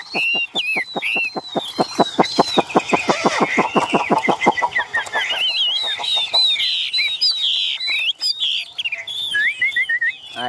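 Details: Caged tame Chinese hwamei with yellow bill and legs: a long rapid train of dry clicking pulses for about five seconds, giving way to rich, varied whistled and warbled phrases.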